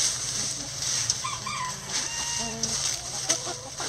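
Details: Backyard chickens scratching down leaves in their coop; a run of short soft clucks and brief rising notes over continuous rustling of dry leaves and a low hum.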